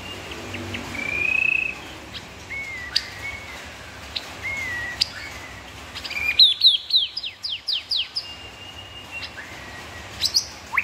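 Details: White-rumped shama (murai batu) master song packed with rapid-fire 'tembakan' bursts; scattered long whistled notes, then a fast volley of sharp descending strokes, more whistles after, over constant background hiss.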